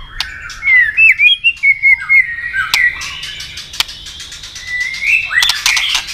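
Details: Double-note fighting song of a tail-clicking white-rumped shama, used to arouse a rival: a string of clear, evenly spaced whistled notes, then softer warbling and a few sharp clicks, ending in a rising flourish.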